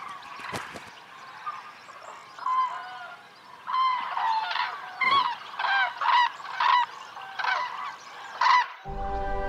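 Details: Common cranes in misty Iberian holm-oak dehesa in late winter, starting courtship with jumps, calls and fights before migrating north. Several birds trumpet loud, rolling, bugled bursts in quick succession over a low rustle, and music comes in at the end.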